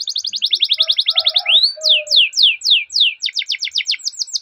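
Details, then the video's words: Long rolling canary song played as a lure for training canaries: a fast even trill, a rising whistle, then slow spaced downward sweeps that speed into quick repeated notes. "Masteran Suara Burung Kenari Ngerol Panjang cuit cuit untuk Pancingan Kenari"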